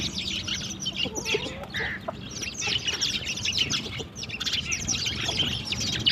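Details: Sparrows in the morning, playing with water and drinking; a dense, continuous chorus of short, high chirps overlapping from several birds, with steady low background hum.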